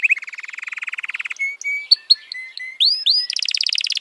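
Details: F1 canary song: a quick pulsed trill, a string of thin separate whistles and chips, rising sweeping slurs, and a closing fast buzzy roll.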